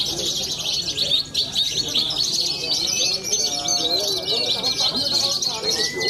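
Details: Branjangan, a young champion contest bird from central Cilacap, Indonesia, at a songbird contest: continuous rapid twittering and rattling phrases high in pitch, a thin sustained whistle underneath, people talking faintly.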